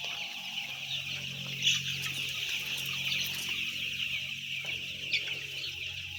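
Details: Ten thousand white chicks fill the air with an unbroken, high-pitched cheeping chorus, a couple of sharper individual peeps briefly rising above the crowd.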